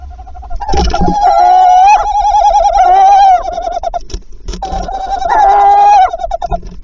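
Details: Tawny owls at the nest in Wassenaar on 11 February, evening, following the first egg, male and female answering each other. Two long quavering trills separated by a pause, with rustling and knocking noises mixed in.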